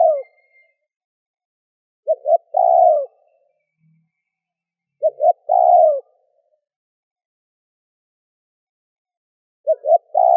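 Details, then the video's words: Repeated phrases of a spotted dove calling to provoke wild birds, about every three and a half seconds. Each phrase is two short coos and a longer, rich, slightly falling note. Quiet gaps between. "Cu gáy gù - thúc - gáy gọi kích bổi nhanh nổi"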